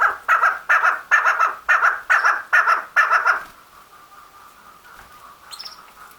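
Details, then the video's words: Female chukar partridge, known locally as chakor, gives seven rapid, regularly spaced harsh chuck bursts in quick succession, then falls silent apart from faint background hiss and a brief thin high note. "Chakor Mada Voice | The Best Voice of Female Chakor | Mada Chakor ki Awaz"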